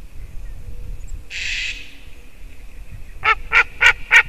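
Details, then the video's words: White-tailed eagle recorded 9 October 2019 at 07:55. A short hissing burst early on, then four loud, harsh yelping notes near the end, about three per second, over a faint steady hum. "Juras erglis Haliaeetus albicilla"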